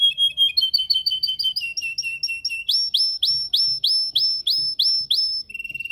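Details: Canary singing in a cage as training: rapid stepped chirps climbing in pitch, then a run of loud upswept notes repeated evenly, ending in a soft quick trill.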